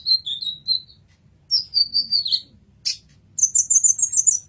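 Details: Sunbird, known locally as kolibri ninja, singing as a tutor recording for training songbirds: high, thin twittering phrases of rapid sharp notes, pausing between bursts, some descending, others held at a steady very high pitch.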